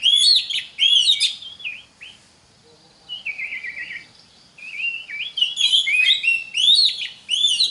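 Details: Singing Oriental magpie-robin, a recording meant to teach young magpie-robins to sing: loud looping whistles and rapid high chirps, a pause, a low warbling trill, then more bright swooping phrases rising and falling.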